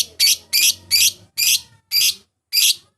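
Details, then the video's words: Lovebird calling, used as a lure to summon rivals and get a bird singing steadily: six harsh, shrill screeching calls in quick succession, roughly two per second, over a faint low hum. "pancingan memanggil lawan, burung lovbird"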